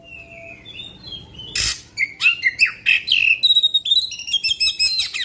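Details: Black-winged magpie-robin singing long bursts that rouse other birds: soft drawn whistles, a loud harsh rasp, then sharp chipping notes building into a rapid high trill.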